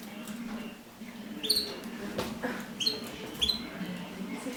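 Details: Brief upswept chirps from Mosaic canaries in mating, three quick high notes in the latter half, set against a low droning background and soft room noise.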